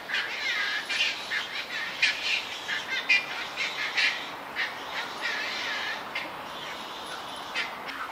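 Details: Young black-crowned night herons at a cormorant and heron colony on a bird island in a Tokyo park, 1 June 2023, give harsh, rasping squawks in irregular bursts about one a second, several birds overlapping against a steady background hiss.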